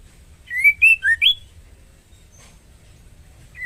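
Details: Female white-rumped shama in breeding condition, calling to a male for mating: one quick burst of four bright whistled notes, rising and dipping, then quiet with a low background hum and a faint whistle at the end.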